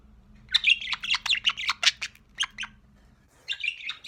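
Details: Sociable budgerigar chick indoors: quick burst of harsh chattering chirps and squeaks, a pause, then a softer warbled phrase, with low hum underneath.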